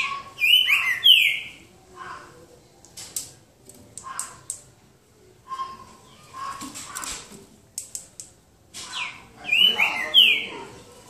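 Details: Green-winged saltator in a boca mole singing duel, João Monlevade: two short bursts of clear descending whistled notes, one at the start and one near the end, separated by scattered clicks, taps and rustling.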